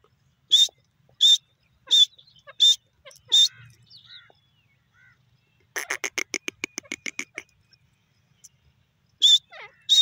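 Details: Grey francolin giving loud, ringing, high notes about every 0.7 seconds. These break into a quick stuttering run of harsh clipped notes, then the ringing notes return. Faint other bird sounds are heard between phrases.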